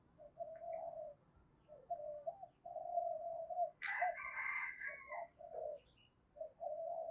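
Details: Spotted dove cooing in the giọng thổ style with a touch of đồng: low hollow coos in short groups repeated throughout, with a louder, higher harsh bird call bursting in near the middle over a soft background hiss.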